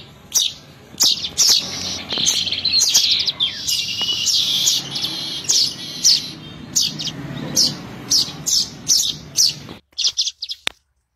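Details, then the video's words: Weaver lure call used for bird trapping: dense, chattering high chirps and buzzy trills overlap continuously, then break into short sharp ticking notes spaced about half a second apart before falling silent. "SUARA MASTERAN PIKAT BURUNG MANYAR"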